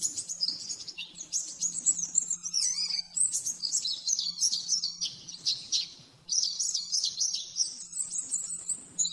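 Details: Caged oriental white-eye master song in the rapid 'nembak-nembak' style for training: fast, high twittering and trilled phrases pouring out continuously, with one brief pause, over a faint low hum.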